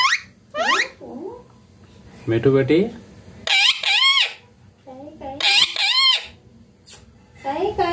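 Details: Green pet Indian ringneck parakeet talking clearly, producing several short speech-like phrases with arching, tonal vocal bands, some shrill high-pitched bursts between them, separated by brief pauses, over a low steady indoor hum.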